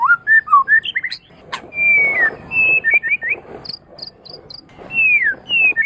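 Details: White-rumped shama song used to teach other songbirds: short varied whistled notes, a long clear whistle falling away, then high ticking notes and a few sweeping slurred whistles with pauses between.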